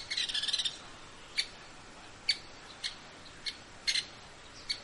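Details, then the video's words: Grey-capped pygmy woodpecker opens with a quick high stuttering trill, then gives scattered sharp ticks and a doubled note over a hissy outdoor background. "Yungipicus canicapillus"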